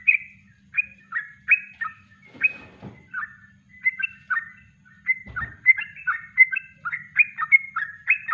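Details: Natural song of a Yellow-vented bulbul used as a master recording for training birds; quick chattering whistled phrases, mostly falling notes in bursts, with two short broadband rustling noises in the middle.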